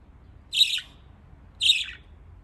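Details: Pet budgerigars in Japan that like to play in water; two loud, scratchy high chirps about one second apart, each dropping slightly at the end.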